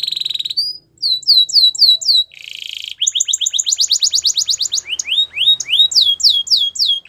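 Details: Training song of a Russian canary: a held whistled tone, sweeping falling notes, a buzzy roll, then a long rapid trill of paired rising notes and more upswept whistles.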